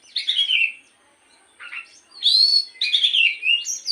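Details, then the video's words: Oriental magpie-robin song used as a morning lure to encourage singing: a falling whistled slur, a short pause and a soft note, then loud, bright, warbling phrases. "pancingan Kacer di pagi hari agar burung Kacer rajin bunyi dan cepet gacor"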